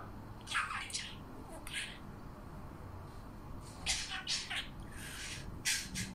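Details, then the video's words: A pet parrot imitates coughing with raspy, breathy bursts, two close together, then a pause, then three more near the end, in a small indoor room. "Попугай повторяет кашель"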